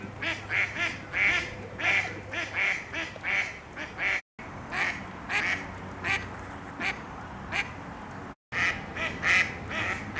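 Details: Female mallard ducks arguing in mating season, with males head-bobbing in courtship, give harsh, nasal quacks in quick, uneven runs, one caller overlapping another, over a faint low hum.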